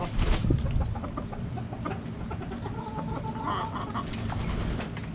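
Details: Backyard hens and roosters: scattered soft clucks, then a drawn-out tonal call near the end, with a low hum and a brief loud knock at the start.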